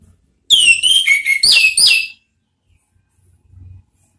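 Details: Orange-headed thrush song used to coax other birds into singing: a quick sequence of clear, sliding whistled notes, some falling and some rising, about one and a half seconds long, then a faint low thump.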